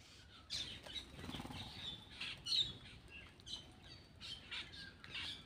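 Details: Black-winged myna eating produces high, scratchy chirps and squeaks in loose bursts about a second apart, over a faint rustle.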